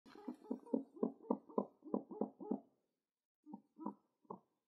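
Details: A pet pigeon (Columba livia) being petted, twitching its wing, gives soft, low, throaty coos in a quick run of about ten short notes, pauses, then adds three more; no other sounds.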